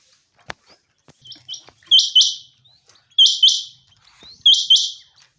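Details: Common quail in a summer meadow giving paired high clipped notes, a faint phrase first, then three loud phrases about a second apart, with light clicks and rustle between.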